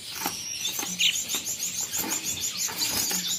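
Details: Caged albino red-eyed cut-throat finches chattering in rapid, high-pitched chirps repeated several times a second, with fluttering and cage noise.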